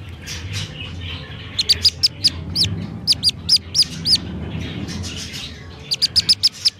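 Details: High, insistent peeping of a Black-bellied Whistling Duck chick found by the road at about 6:30 in the evening, in three bouts of rapid distress notes over a soft rumbling background.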